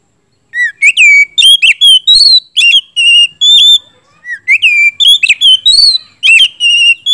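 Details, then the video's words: Gacor oriental magpie-robin song used as a provoking lure: two long, tightly packed phrases of piercing whistles and chirps, each note sliding up or down, with scarcely a pause between. "siulan kacer gacor ngeplong,kacer macet,bahan langsung nyaut gacor dipancing kacer satu ini"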